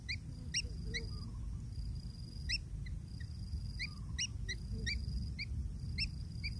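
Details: Quiet, evenly spaced sharp upward chirps from long-tailed shrike chicks waiting for food from their parent, with a faint steady whine and low background rumble.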